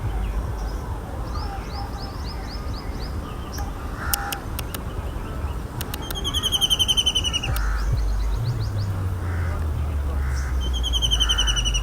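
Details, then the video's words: White-throated kingfisher (Halcyon smyrnensis) in urban India gives loud, shrill, ringing notes in rapid falling runs, repeated several times, over a steady low rumble of background noise. "Now You Know Who Makes This Sound: Ep. 7 - White-Throated Kingfisher"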